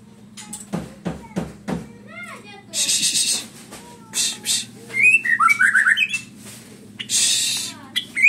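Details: A prize-winning pet white-rumped shama pours out a varied song of sharp whistles, rapid trills and harsh buzzy bursts, shifting phrases every second or so, with a low hum and a few knocks beneath.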